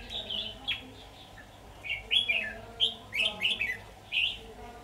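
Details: Red-whiskered bulbul used in a decoy trapping session in Vietnam, 23 October 2019; lively repeated whistled phrases, about six bright bursts in under five seconds, with faint background hum and brief speech nearby.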